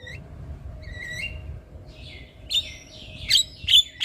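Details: Javan myna in the morning, a lure and training recording of an actively singing bird: faint whistled notes at first, then a row of sharp, harsh chirps with ringing whistles near the end, and a low hum below.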